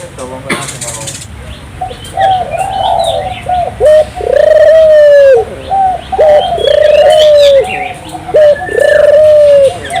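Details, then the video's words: Turtle dove in energetic song meant to stir local doves into singing: a fast run of short coos building into repeated long, flat, hollow coos, with scattered high chirps of other birds and a brief burst of noise near the start. "suara burung puter gacor, merangsang burung puter lokal ikut gacor"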